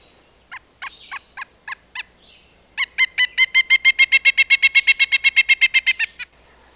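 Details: Woodpecker calling: a few spaced harsh notes, then a fast, even run of about twenty loud, ringing notes at roughly four per second, rising slightly in strength before stopping abruptly; quiet background.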